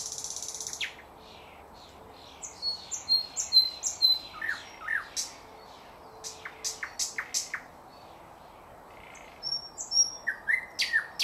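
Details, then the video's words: Thrush nightingale in song, recorded in 2024 amid bird catching: a buzzy opening, pauses, then bursts of high whistles and sharp clicking notes repeated about twice a second, with a quiet gap before more whistled phrases. "bulbul ovi vostochniy Nightingale singing соловей восточный"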